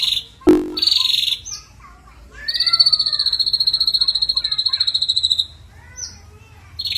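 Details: Ashy drongo singing vigorously as a lure, with mimicked fill. A sharp click and a buzzy note lead into soft scattered notes, then a sustained high pulsing trill lasting about three seconds.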